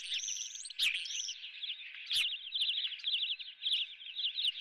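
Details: At the Dunrovin nest, ospreys with a fresh live fish for breakfast give a long, continuous series of shrill, quickly repeated chirps, with a few sharp clicks and knocks near one and two seconds.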